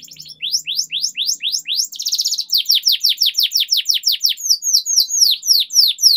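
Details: Training song of a canary, a long-rolling style used as a tutor for young birds. A steady run of sharp downslurred whistles, about two per second, is broken by a brief buzzy trill, then resumes.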